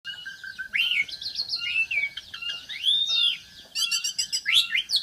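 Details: Black-winged myna singing a varied run of whistled, rising and falling notes, broken by sharp chattering bursts and short harsh phrases, with quiet background between phrases.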